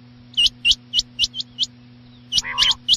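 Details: Quail at night giving clipped, high, hook-shaped notes spaced about a quarter second apart. After a pause comes a rapid cluster that overlaps a lower, harsh, buzzy call, with a steady low hum throughout.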